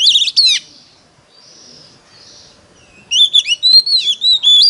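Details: Competitive song of an Oriental magpie-robin, used as a lure: a brief loud burst, a long quiet stretch of faint soft notes, then a run of loud whistled, slurred phrases.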